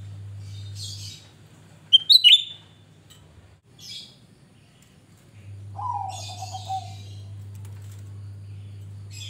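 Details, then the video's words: Grey-bellied bulbul in full song, used as a lure for singing: a loud, sharp, hooked high whistle, breathy high bursts, and a lower descending wavering note, all over a background hum. "Cucak Rante gacor Buka Paruh Pancingan"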